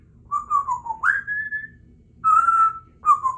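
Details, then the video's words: A pet female Congo African grey, three years old, practises sounds indoors with a run of whistled notes. A wavering falling whistle leads into a rising swoop and a held tone. After a pause come two shorter steady whistles. "African Grey Talking Parrot while she practices her words and sounds"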